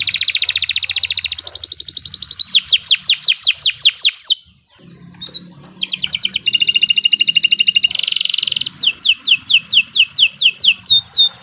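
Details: Long continuous canary singing for tutoring beginner birds: buzzy high trills and runs of falling sweeps, a short pause midway, then more trills and swept notes to the end.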